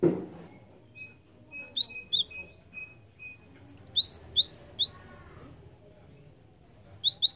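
Java sparrow giving quick bursts of sharp, high chirps, five or six notes per burst, with pauses between; a faint thin steady tone sounds early on.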